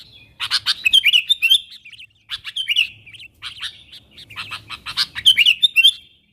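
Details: Chattering sooty-headed bulbul calling wild companions, a recording meant to draw wild bulbuls near; three rushes of quick chirps slide into liquid, bubbly warbles, separated by short pauses.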